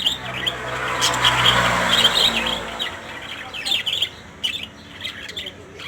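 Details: Lories of varied colours calling together: dense bursts of shrill, squeaky chirps and short screeches, overlapping and fast, with a low hum early on and quieter gaps toward the end.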